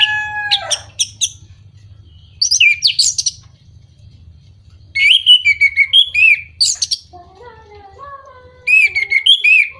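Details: Song of the orange-headed thrush, used to rouse moulting, silent or low-condition birds. Quick phrases of sharp, slurred notes come in bursts a few seconds apart, including a descending series of mellow whistled notes near the end.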